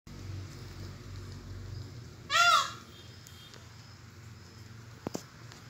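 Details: Indian peafowl (Pavo cristatus), a peacock on a farm in Chamardi, Babra, Gujarat, India, gives a single loud, nasal, wailing call, about half a second long, that rises and then falls; a faint low rumble and a couple of clicks follow.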